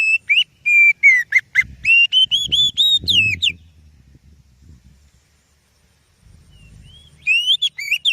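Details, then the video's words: Oriental magpie-robin (kacer) song used as a lure for other birds: rapid varied whistled phrases and sharp chirps, a pause with low rumbling background, then whistling resumes. "Suara Burung Kacer Yang Sangat Indah,Cocok untuk Pancingan"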